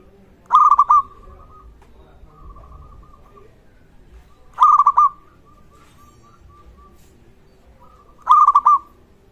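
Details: Local Zebra Dove, a vigorous caller, used as a lure to prompt other zebra doves to call and to raise a rival's arousal; a bright trilled coo phrase with a long level tail, repeated about every four seconds.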